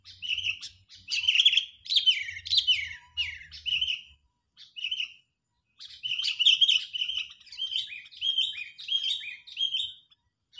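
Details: Sooty-headed bulbul as a trapping lure, furious and chattering nonstop: dense runs of slurred, descending chirps with brief pauses, growing into rapid repeated phrases.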